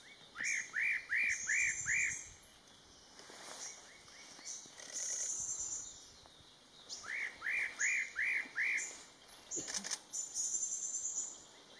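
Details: Spot-breasted parrotbill (Paradoxornis guttaticollis) gives quick runs of five arched, ringing notes, repeated twice, with thin high buzzy notes between and a brief human voice.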